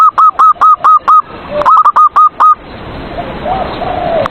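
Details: Zebra dove in a cage, song used to provoke rival doves into singing: a series of short, hooked, tonal coos repeated rapidly and evenly, followed by a stretch of broad hissing noise with faint softer notes.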